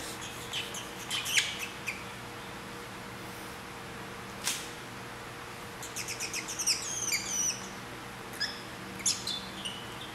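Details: Grey treepie chick, about three weeks old, found by a roadside in southeastern Taiwan and being hand-fed indoors. High, squeaky chirps come in scattered bursts, then a denser run of sharp repeated notes midway, with a single click between.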